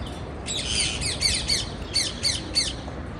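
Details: A burst of harsh, buzzy parakeet chatter gives way to a string of bright, falling chirps at a brisk pace, roughly three a second, over faint background hum.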